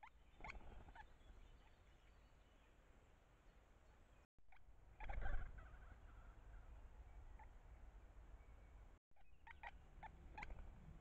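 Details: Great spotted woodpecker pair feeding nestlings at a tree cavity, using calls to communicate at the hole: scattered sharp clicking 'kik' notes, single early on, then a loud burst midway and a quick cluster near the end, with low rumbling background.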